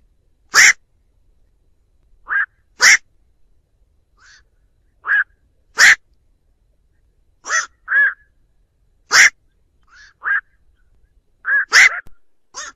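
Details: Black-crowned night heron flock call used as a trapping lure, free of other noise. Loud harsh 'quok' croaks alternate with softer, lower nasal calls, about fourteen in all, spaced unevenly every second or so.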